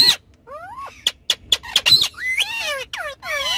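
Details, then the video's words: Ringneck parrots, pets on the back seat of a car: a rising squeak, a string of sharp clicks, then wavering whistled chatter with several overlapping voices. "Cute Ringneck Parrots Talking And Having Fun On Car Back Seat"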